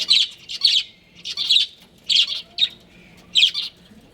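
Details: Pet breeding pair of budgerigars chirping: loud, rapid bursts of scratchy, warbling chirps in quick clusters with short pauses, bright and high-pitched, in a small indoor space.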